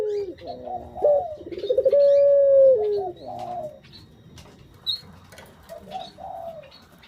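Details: Puter dove lure sound: rolling notes lead into one long steady coo in the first few seconds. Quieter fragmentary coos and faint high chirps follow.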